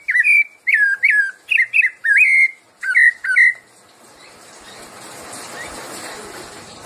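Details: Rufous-bellied thrush giving its 'piedade senhor' song: a quick series of clear, loud whistled notes with upward flicks and downward slurs for three seconds, then only soft hiss.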